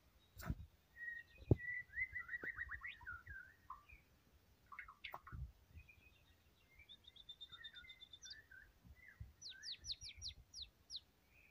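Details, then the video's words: White-rumped shama singing vigorously: varied whistled phrases, rapid descending trills and sharp high chirps in bursts, with clicks and knocks in the background. "KICAUAN BURUNG MURAI BATU PUKUL RATA GACOR"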